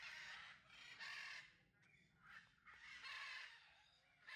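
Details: Citron-crested cockatoo kept at a Leicestershire bird park while chewing wood gives repeated harsh, noisy screeches, each around half a second long, separated by brief gaps, with a faint softer note between them.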